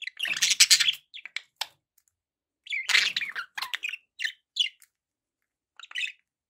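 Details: Pet budgerigars chatter over background noise in two loud bursts of rasping warble, each followed by scattered short chirps and clicks.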